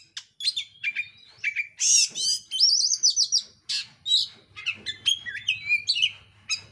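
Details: Oriental magpie-robin in dense, rapid, emotional song, used to provoke another bird to sing: an unbroken stream of varied high whistles, trills, sweeping slurs and sharp chips, densely packed phrases with barely a pause.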